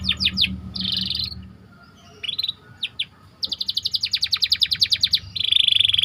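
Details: White canary chirping as training bait: a few sharp downslurred notes, a short buzzy burst, pauses, then a long rapid run of clipped chirps ending in a steady rolling trill; faint low hum underneath.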